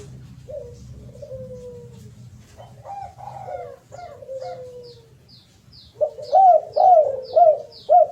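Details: Spotted dove (derkuku) song used as a lure to make birds sing: quiet scattered coos with long trailing notes, then a fast run of four loud arched coos near the end, with faint high ticks.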